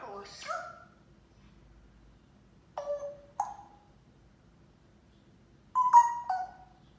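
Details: Pet parrot singing and talking in English and Arabic indoors: a few short speech-like phrases and clear whistled notes, one bending upward, another flat and steady, separated by quiet pauses in a small room.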